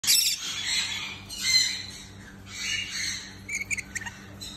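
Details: An Edwards's (marigold) lorikeet (Trichoglossus capistratus), described as a rare parrot and kept at a UAE shop, gives harsh, high screechy squawks in bursts, ending in a sharper cluster of short shrieks over a faint steady hum.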